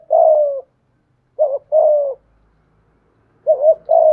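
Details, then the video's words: Spotted dove kept as a decoy bird, singing in the 'giọng thổ' voice style. Low, mellow coo phrases are heard, each a brief wavering note followed by a drawn-out, slightly falling coo. Two full phrases are heard, in near silence. "Chim Cu Mồi/ cu gay giong tho cuc dinh"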